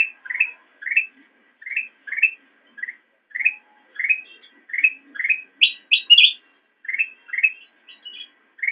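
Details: Black-crested bulbul song meant for training caged songbirds: short rising whistled phrases repeated roughly every half second, with a brief burst of higher, brighter notes midway, over a quiet background.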